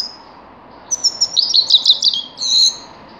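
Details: Grey-crowned goldfinch song fragment, a quick series of high twittered and buzzy notes over roughly a second and a half, ending in a short rasping buzz.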